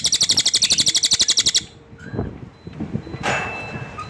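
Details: Cililin giving a fast, even, high-pitched chattering trill for about a second and a half, then stopping, leaving soft background noise and a few faint distant chirps.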